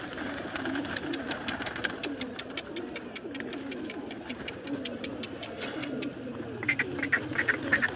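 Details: Several pigeons in a pigeon loft coo in low, overlapping murmurs, with wing flutters and clicks, and a few sharper chirps near the end.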